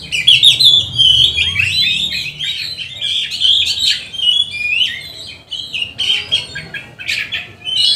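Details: Oriental magpie-robin, a lively 'gacor' bird, singing a rich varied song used as a lure to train and provoke other magpie-robins: rapid twittering, whistled notes and harsh buzzy phrases mixed together, with a faint low hum underneath.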